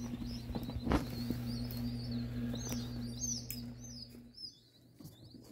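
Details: Freshly hatched ringneck pheasant chicks from Nebraska eggs give high, downward-sweeping peeps that grow busier toward the end as a background hum cuts out.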